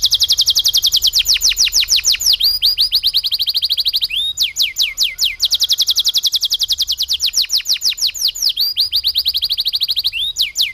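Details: Canary singing lovebird-style material in a rolling song: long, very fast trills of high, sharply falling sweeps, repeated in steady runs of several seconds with brief breaks between, and little else audible.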